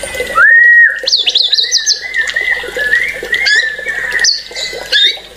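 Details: White-rumped shama song made of long, clear whistled notes held level or rising gently, broken by short bursts of high, thin trilled notes and soft chatter in the background.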